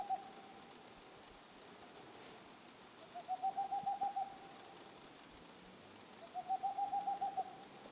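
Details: Boreal owl (Aegolius funereus) calling: two quick runs of about eight soft, mellow hoots, each burst lasting about a second and rising slightly, over faint background hiss.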